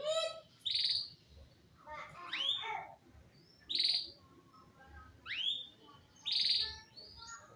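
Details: Male canary giving separated song phrases roughly every one to two seconds, each a bright chirped burst or upward-sweeping whistle, with quiet gaps between.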